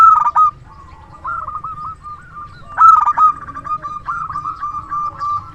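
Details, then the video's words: Local zebra dove singing as a trapping decoy, with a big voice: two loud cooing bursts about 2.8 seconds apart, linked by nearly continuous soft, wavering coos that run to the end. "Perkutut lokal gacor suara besar PIKAT ANDALAN"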